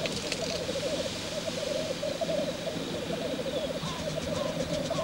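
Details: Male black grouse at a courtship lek: a continuous bubbling, rolling coo runs through the whole stretch in dense pulsed phrases, with several birds' voices overlapping and a few short rising notes near the end.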